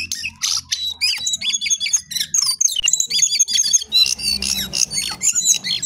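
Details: Vigorous song of a jongkangan, the lesser shortwing: a dense, scratchy cascade of high chirps and whistled notes, nearly continuous, with a low background hum throughout.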